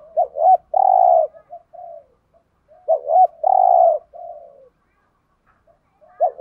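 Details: Spotted doves, males and females, cooing to attract wild birds. Two quick bent notes lead into a sustained low coo, followed by softer falling notes. The phrase comes twice, roughly three seconds apart.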